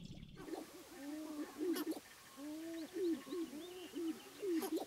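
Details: Several sharp-tailed grouse at a spring lek in Namekagon Barrens, Wisconsin, where males display for hens, give low, overlapping hooting coos with rising whoops, about forty a minute; faint high chatter in the background.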